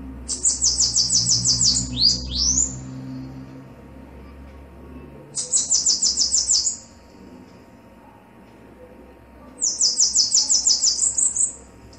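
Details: Bananaquit (sibite) song, a male and female: three very high, thin, sizzling buzzy trills of rapid repeated notes, each lasting one to two seconds, spaced about four seconds apart, over a low background rumble.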